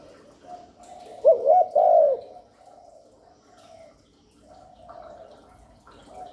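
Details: Spotted dove cooing used as a lure for wild doves and to stimulate newly kept birds: one loud phrase of quick wavering coos, followed by fainter, softer cooing in the background.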